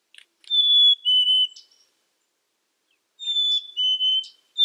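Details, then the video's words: Whistled song of a black-capped chickadee, two clean high-to-lower note pairs about two and a half seconds apart, with scattered soft chips and ticks around them. "Black Capped Chickadee Bird Sound, Bird Song"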